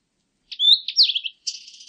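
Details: A Blue-and-white flycatcher sings one short phrase. A smooth, high whistle glides upward, breaks into quick warbling notes, and ends after a pause in a buzzy, rasping trail. The background is silent.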